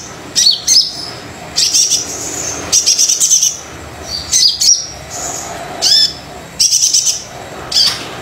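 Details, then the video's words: Brown-throated sunbird singing vigorously to stir quiet birds: irregular high-pitched bursts mixing fast buzzy trills, sharp squeaky notes and a few downslurred whistles, repeated every second or so. "Kolibri Dada Coklat Super Gacor Pancingan Kolibri Yang Males Bunyi"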